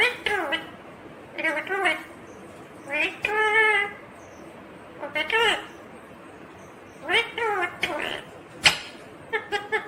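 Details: Ringneck green parrot talking: short clusters of nasal, speech-like syllables with bending pitch contours, about five phrases in ten seconds, a sharp click near the end, otherwise quiet room.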